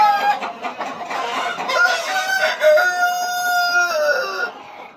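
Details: Super hybrid chickens in a laying farm where every nest box is full of eggs; a long drawn-out crow holds a steady pitch, then bends downward at the end, over earlier short clucks and farmyard background.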